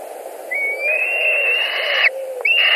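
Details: At a white-tailed eagle nest in Latvia on 2 August 2020, a bird screams during a carp delivery and a fight. A rising whistle becomes a long, level, harsh scream that breaks off, then restarts.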